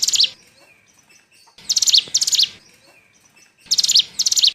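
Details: Forest recording of a bar-winged prinia lure call for trapping: high, rapid stuttering trills in pairs, each burst under half a second, repeating about every two seconds.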